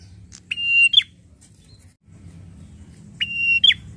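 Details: Enraged prinia giving a held buzzy tone ending in a sharp falling flick, then a silent gap of about two seconds before the same phrase repeats.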